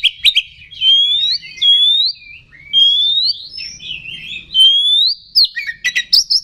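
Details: Lure song of an oriental magpie-robin to quickly anger kacer: a series of rising, upswept whistles spaced about a second apart, ending in a cluster of sharp chips.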